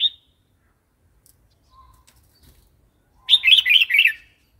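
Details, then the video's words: Red-whiskered bulbul wild-style song for coaching young birds; a clipped note at the start, near silence with a faint thin tone, then a lively four-note warbled phrase. "เสียงนกกรงหัวจุก เพลงป่า"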